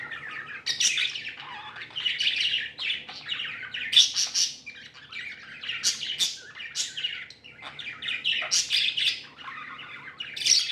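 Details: Contented pet budgies produce sharp chirps and chattering warbles in uneven bursts separated by short pauses, with a faint hum below.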